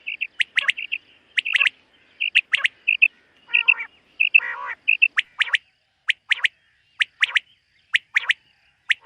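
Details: Common quail heard at morning in a summer meadow: crisp whistled notes and sharp stroked calls spaced through the recording, a couple of rougher grating bursts midway, then evenly repeated sharp calls.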